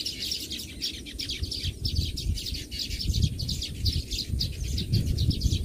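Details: Several Baya weaver birds chattering: continuous high, scratchy chirps tumbling quickly one after another, with a constant low rumble of wind or distant noise underneath.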